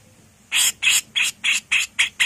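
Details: A female cucak jenggot, or grey-cheeked bulbul, giving the harsh 'mbesetan' song. Seven loud scratchy rasps follow each other steadily, about three each second, over faint background hiss.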